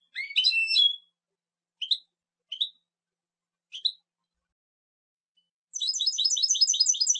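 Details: European goldfinch song for silvestrismo: a twittering opening note cluster, then three short separate chirps spaced about a second apart, ending in a fast, even trill of repeated high notes; background silent.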